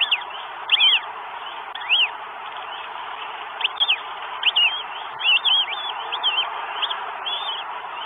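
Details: Northern goshawk in Estonia on 12 May 2022, a bird arriving with food: high whistled, arched calls rising then falling, given singly or in short clusters every second or so, over a steady background hiss.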